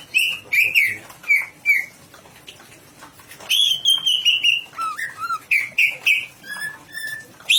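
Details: Greater green leafbird described as ready for national competition, singing in short bursts of clear, piping whistles at mid-high pitch, some descending in steps, separated by brief pauses, with faint clicking noises in the background.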